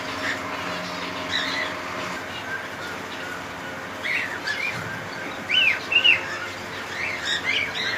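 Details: A cockatiel colony: faint chattering early on, then two bright, rising-and-falling squawked calls in quick succession midway, followed by scattered softer calls over a constant low hum.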